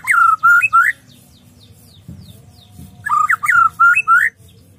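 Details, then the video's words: White-rumped shama, gacor style: a burst of three loud looping whistles, about two seconds of near silence with a soft knock, then a similar burst of four to five rich whistles. "Murai batu gacor"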